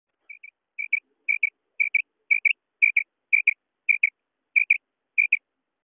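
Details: Female common quail (Coturnix coturnix) calling, a sound associated with quail net hunting: soft, high paired notes like a quick double 'pee-pee', about twice a second, against a quiet background.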